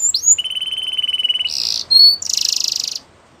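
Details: Canary training song: a rising chirp, then a long steady rolling trill, a dense buzzy roll, a brief whistle and a second harsh buzzing roll.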